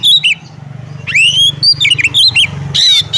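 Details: Oriental magpie-robin, female calling a male, used to rouse other males into singing: loud varied whistled phrases around high pitch, rising sweeps and trills, with brief pauses and a steady low hum beneath.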